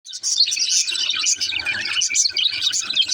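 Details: Baby budgerigar singing: a dense, unbroken stream of high, bright chirps and twittering warbles, with quick overlapping notes and no pauses.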